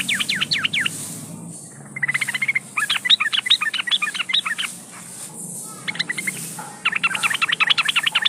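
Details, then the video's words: Lure recording of a female yellow-vented bulbul in breeding condition calling males. Several bursts of rapid, sharp chattering notes, separated by short silent gaps. "Suara burung trucukan gacor memanggil lawan pancingan trucukan agar ikutan bunyi"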